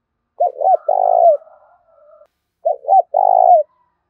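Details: Spotted dove fight-provoking coo, two phrases in quick succession: paired short hoots, then a sustained coo trailing downward. Faint soft notes follow the first phrase.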